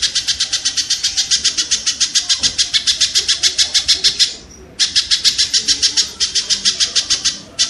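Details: Kingfisher recording used to train cage songbirds: rapid harsh, buzzy 'kek' notes repeated about three to four times a second in long series, with one brief pause midway.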